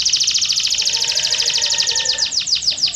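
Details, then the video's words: Canary delivering a rapid, rolling high trill of tightly repeated notes, ending in a few slower sweeping whistles. "REAL Canary Singing That Birds Love"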